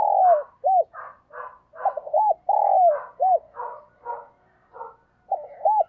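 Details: Spotted dove kept as a decoy, cooing each morning to draw wild birds. Repeated sequences of long, falling coos and short arched notes alternate with quieter, hoarse phrases.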